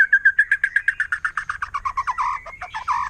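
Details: Wild forest white-rumped shama in rapid 'nembak' shooting song that provokes other shamas: a fast volley of short whistled notes, about four per second, sliding lower and growing rougher toward the end.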